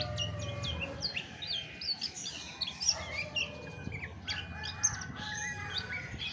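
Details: Chestnut-backed thrush song of crisp repeated chirps and fluty whistled phrases, some notes sliding down, delivered in bursts separated by short pauses, over a low hum.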